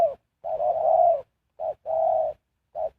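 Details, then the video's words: Spotted dove used as a decoy to lure wild birds for trapping, giving low hollow coos, each a short note followed by a longer sustained one, in a quiet setting. "Sound Of Spotted Dove"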